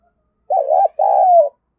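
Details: Spotted dove giving a luring call used to provoke wild doves: one two-part coo, a wavering first note, a short break, then a longer, steadier note that slides gently downward, about one second overall, with a quiet background.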